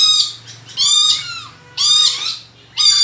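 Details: Vocal tame red lory kept as a pet, uttering strident grating squawks roughly once a second, harsh and noisy with short rising upslurs at the end of some calls, against a faint low hum.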